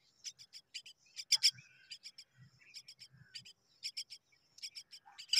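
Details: Common myna nestlings begging while they wait for their mother, giving rhythmic runs of rasping high notes, some loud, with a few slurred calls and soft low knocks.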